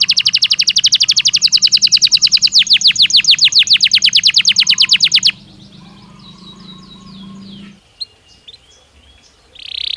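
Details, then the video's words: Belgian canary in natural song: a long, fast, even rolled trill for about five seconds, then near-silence with a faint low hum and a few soft chips, ending on a short bright note. "Som de 1 Hora com Canario Belga Cantando Naturalmente"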